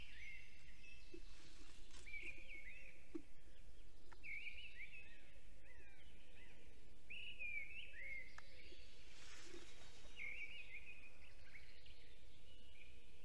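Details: Male black stork singing at his nest in Estonia at 8:02 am on 10 April 2020, holding a branch in his beak after spotting someone above the nest; thin, hoarse whistled notes in short repeated phrases over a steady low rumble.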